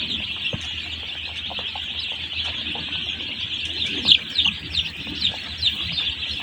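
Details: Many one-day-old chicks on a poultry farm peep together in a dense, continuous high-pitched chatter; several louder, sharper peeps rise above the flock in the second half, with faint low background hum.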